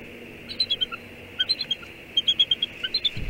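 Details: A mated pair of Bald Eagles at Two Harbors, Catalina Island, California, bonding in the late afternoon of 11 January 2019, gives high, thin piping notes in quick chattering bursts of four to seven, about once a second, over faint hiss.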